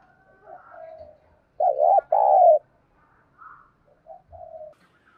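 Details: Spotted dove used as a decoy bird to stir other doves into cooing: two loud, low hollow coo notes, the second longer, framed by softer faint coos and a brief higher murmur.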